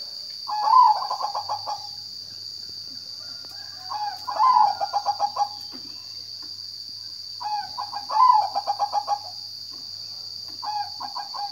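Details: Zebra dove repeating its song roughly every four seconds: each phrase starts with a sharp higher coo, then a rapid, evenly spaced train of mellow pulses fading out. A continuous high-pitched drone sits in the background.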